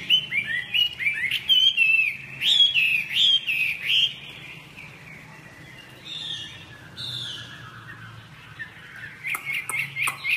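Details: A three-season Chinese hwamei (Garrulax canorus) that has just finished moulting sings loud, clear, rising, slurred whistled phrases, repeated rapidly, then pauses softly before a fresh burst of bright notes.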